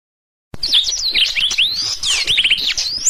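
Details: Black-throated canary singing as tutor material for canaries, starting after a short silence: quick, bright whistled phrases, rising and falling sweeps and a burst of fast descending notes, sustained high and lively.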